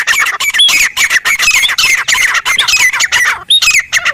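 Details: Loud grey francolin calling in the wild, a continuous run of harsh shrill notes, almost without gaps, with a brief break before the last few notes.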